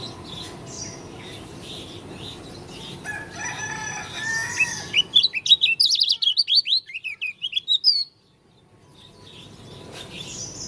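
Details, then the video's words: Lombok dakun Oriental white-eye with an odd song: after background noise and faint chirping, a rapid three-second run of high, clipped, slurred notes, then sudden silence before the hiss returns. "Pleci dakun lombok suara aneh"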